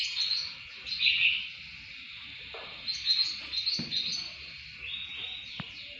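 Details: Greater green leafbird song for training songbirds: bursts of bright chirping and warbled notes, high and busy, coming in phrases about a second long with short quieter gaps, plus a few sharp clicks.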